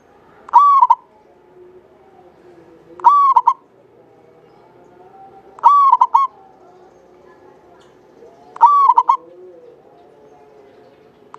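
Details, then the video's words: Local Javanese zebra dove singing vigorously, kept as a lure bird, with a long clear voice: four phrases, each a sustained mellow coo followed by two short clipped notes, repeating about every 2.5 seconds over a faint low background hum. "Perkutut lokal jawa gacor buat pancingan suara panjang bening"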